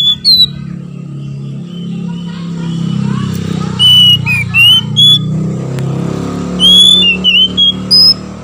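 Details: Oriental magpie-robin pair, male and female answering each other, used to rouse other magpie-robins to sing; scattered sharp whistled and slurred notes in short bursts over steady low traffic-like rumble.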